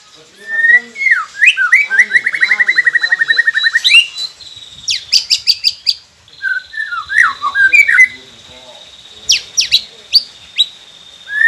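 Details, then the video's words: White-rumped shama singing on a recording meant to get captive shamas to start singing: a long buzzy rattling trill, then clusters of sharp high notes, a held high whistle and varied falling whistled phrases. "Murai Pendiam Cepet Buka Suara dengan masteran ini | shama bird"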